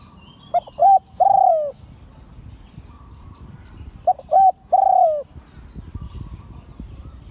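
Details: Spotted dove of an auspicious line repeating its 'liu tan' crowing song: two phrases about three and a half seconds apart. Each is two short soft coos and a long descending coo, over a low rumbling background.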